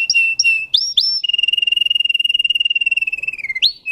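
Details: Bred for its song, a Russian canary gives a few short rising whistles, then a long even rolling trill held steady for over two seconds, ending with an upward flick.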